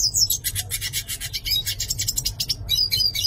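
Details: Dense, buzzy rattling twitter from a yellow-faced siskin, with a few thin high whistles woven through the rapid notes; low hum in the background.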